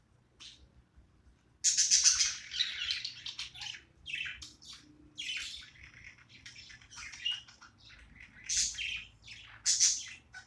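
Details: Playing budgie producing a long rapid stream of harsh chirps and squeaky warbles, with a few sharp high squeaks standing out, quiet before the chatter begins.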